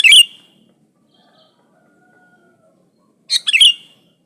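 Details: Lively sooty-headed bulbul singing, used to coax other bulbuls into song, recorded without added birds' songs: a quick liquid warbled phrase, a long pause of about three seconds, then a second rich bubbling phrase.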